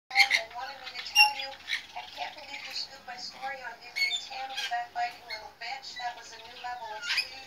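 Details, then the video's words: Young rainbow lorikeet giving harsh, rasping squawks and chatter, bursting out irregularly about once a second, with scratchy shrill notes between. "Baby Rainbow lorikeet"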